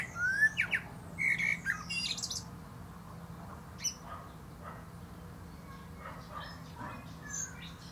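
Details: Male common blackbird singing atop a plum tree: low fluted whistled phrases near the start, each ending in a squeaky high twitter, then quieter scattered notes over a steady low hum.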